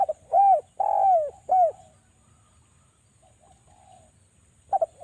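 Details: Spotted dove from Java, its rapid, sharp cooing used as a lure to prompt other doves to call: a cluster of three mellow, low coos, the middle one drawn out, then a quiet gap before another pair of coos starts.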